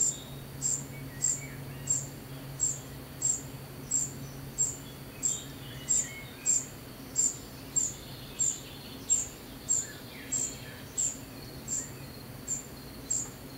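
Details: Young common cuckoo being fed, giving a thin, high, insistent begging note repeated about every 0.65 seconds, steadily, over a constant broadband background noise and low hum.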